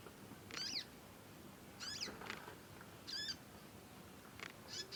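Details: Young conin learning to sing, giving long chirping calls: four bursts of high harmonic, chevron-shaped chirps spaced about one to one and a half seconds apart, fairly faint against a steady low background hiss.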